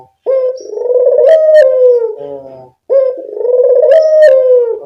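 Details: Lure recording of a Barbary dove, used to draw in birds: two long, deep, rolling coos, each lasting about two seconds with a slight rise and a low buzzy ending, separated by a short pause.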